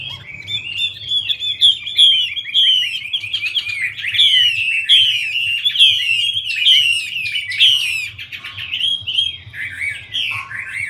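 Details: Chinese hwamei with a female fanning and dancing to excite the male; long, energetic stream of clear whistled phrases broken by crisp downslurred notes, strong throughout, fading slightly near the end.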